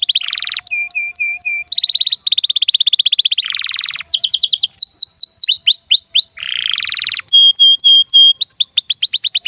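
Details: Continuous canary lure song for young and silent canaries: buzzy rolling trills broken by steady repeated flat whistles, then a run of long curved descending sweeps, more rattles and fast rising notes.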